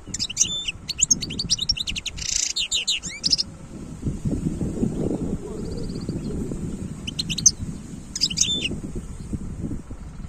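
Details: Wild European goldfinch singing in 2022: quick bursts of high, tinkling twitters in the first three seconds and again near the end, separated by a pause, over a steady low rumble of background noise.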